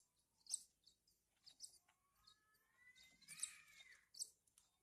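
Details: During hand-feeding, Horsfield's bush lark chicks give spaced, piercing high chirps while a long rising whistled tone sweeps upward beneath them.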